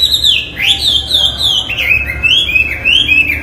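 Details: Chinese hwamei, a cage bird, singing loudly: clear ringing whistles sliding up and down, joined in a continuous flowing phrase with short rising and falling notes.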